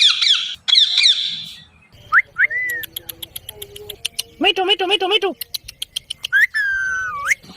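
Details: Talking Indian ringneck parrot: harsh speech-like phrases, short rising whistled notes, sharp clicks, a burst of rapid quavering syllables, and a final long whistle that rises at the end.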